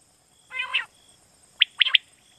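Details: Pakistani quail call for night hunting lures: a short harsh, buzzy rasp followed by a rapid three-note burst of piercing high notes.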